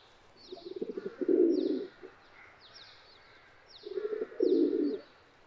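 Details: Feral pigeon (Columba livia), the tame town-dwelling form, giving two low, throaty cooing phrases about three seconds apart. Each opens with stuttering soft pulses, then swells into a longer rolling purr. Faint, thin, high chirps sound in the background.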